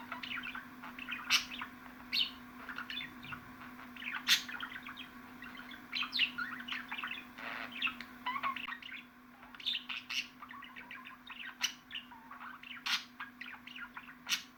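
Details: Long stretch of budgerigar chatter from a ten-minute budgie recording: continuous twittering, chirps and clicks from several birds, brief lulls, and a steady low hum throughout.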